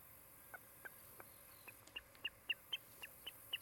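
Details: Osprey at a nest near Charlo, Montana, one of a pair building a new nest, on a nest camera on 16 July 2018 in the afternoon. About twelve sharp, high chirps, growing louder and coming faster, over a faint steady hiss.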